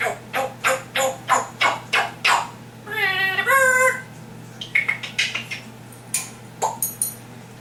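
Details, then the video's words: Pet African grey parrot mimicking sound effects: about eight short, harsh harmonic bursts in quick, uneven succession, then a wavering, warbling tone near the middle, followed by scattered clipped notes and clicks. A steady low hum sits underneath. "African grey parrot talking compilation"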